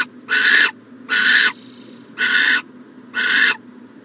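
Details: Owls in a nest box on a morning in January 2020. Four loud, rasping hiss bursts, each under half a second, come at roughly even intervals.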